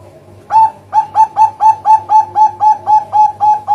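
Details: Zebra dove (perkutut), Bangkok and local birds, lure sound for trapping: after half a second of quiet, about twelve short, even cooing notes come in a quick steady run, roughly four per second, each with a clipped, slightly rising tone.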